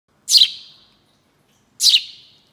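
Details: House sparrow, Passer domesticus, giving two loud harsh chirps about 1.5 seconds apart, each a short descending burst with quiet between them and no other sounds.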